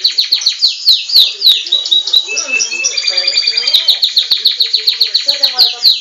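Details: Captive-bred Belgian canary singing, possibly competing against a recording of its own song. Rapid high, descending sweeping notes repeat several times a second, then break into steady buzzy trills and fast chattering phrases.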